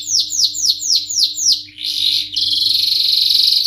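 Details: Canary singing 'ngerol nembak': six quick, high notes each curving downward, then a rising wheezy phrase and a loud, rapid buzzing roll to the end; faint background hum.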